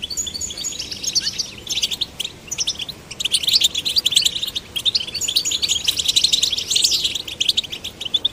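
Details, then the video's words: Male and female goldfinch chicks urged to sing give lively, tinkling twitters broken into bursts of rapid chirps and fluttering trills, with a few slurred whistles. "Stimulating male and female goldfinch chicks to sing birds chirping"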